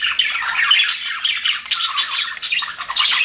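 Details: Happy budgerigars in an aviary chattering together: dense, overlapping warbles and scratchy chirps run without pause, with brighter squeaky notes rising near the end.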